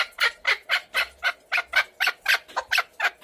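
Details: Chukar partridge calling with evenly spaced, harsh chuck notes at about four per second, clear and loud against a quiet background.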